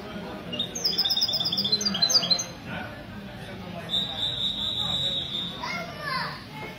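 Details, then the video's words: European goldfinch ('misto') singing on a Sunday morning, 16 February 2020, at a café in Ksar el-Kebir during a goldfinch association gathering; bright twittering trills in two bursts, with a low murmur of voices underneath. "تغريد الميستو من جمعية لكوس للحسون الدهبي"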